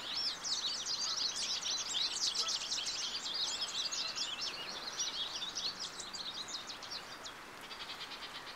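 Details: American goldfinch singing a long, rapid run of high twittering and jumbled chirps, many short notes packed together, slowing and fading toward the end, with a steady background hiss.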